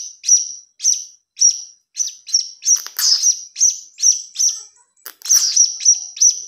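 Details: Blue-crowned hanging parrot chick giving lure begging notes: piercing, very high tweets repeated about twice a second, steady and thin, with a couple of louder rough, noisy bursts mixed in.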